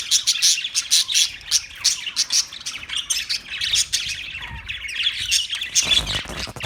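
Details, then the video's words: Steady parakeet chirping, with rhythmic bright chirps repeated in quick succession and some softer twittering between them. "Birds Parakeet Sounds Parrot Chirping Sounds"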